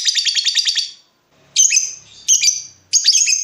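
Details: Lovebird excited for breeding, luring a rival: a quick chattering run of about eight notes, a pause, then three harsh rasping squawks.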